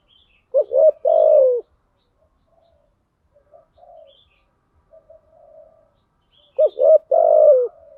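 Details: Lure spotted dove cooing, meant to draw other doves: a wavering two-part note then a long steady falling coo, repeated after a pause of several seconds filled with soft, quiet murmured coos.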